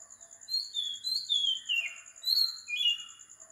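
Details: Oriental magpie-robin singing at 4 am in Sri Lanka: clear whistled phrases that slide up and down, some falling slurs and rising notes, in quick succession, over a steady high pulsing hum in the background.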